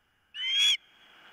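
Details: Osprey at the nest on a nest camera, 4 September 2023, morning: a single softer whistled note rising slightly then cut off, with a faint hum after.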